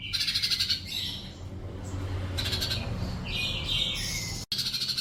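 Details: Sunbird song meant as a master for lazy-singing pet birds: dense high chattering phrases broken by brief whistled notes and a short gap of near silence.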